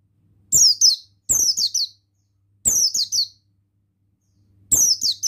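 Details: Male buxtoni Oriental white-eye in full song: short bursts of two to four high, downward-sliding whistled notes, with a burst about every two seconds, clean and loud over a faint low hum.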